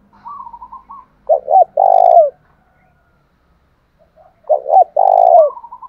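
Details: Spotted dove, 'thổ đồng' style song played to stir a captive bird to sing; two loud coo phrases, each two quick notes and a long vibrating coo, with softer trailing coos between them.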